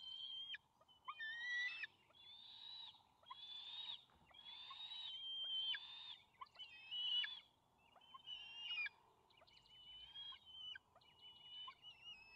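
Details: Young bald eagles at a nest on May 28, 2020, competing for control of a fish the father delivered. A long run of rough, whistled screams in pulsing bursts roughly every second, fading toward the end.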